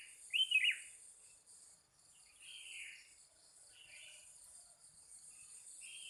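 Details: Morning birdsong at Pananjung Barat with callers answering each other: a sharp, bright warbled phrase at the start, followed by softer, drawn-out chirps every second or so, over a constant high insect-like hum.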